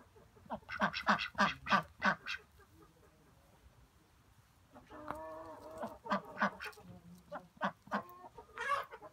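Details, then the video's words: Ducks quacking in quick, harsh bursts, a rapid run of loud quacks, a pause, then another uneven series of nasal calls. "ducks quacking"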